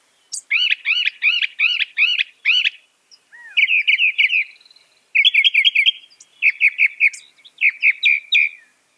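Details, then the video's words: Northern mockingbird, said to copy some 200 sounds, sings a bright high phrase of arched chirps repeated six times in quick succession, then switches to several different rapid trilled phrases, each repeated in short bursts with brief pauses between. "Masteran suara burung NORTHERN MOCKINGBIRE bisa merekam 200 suara"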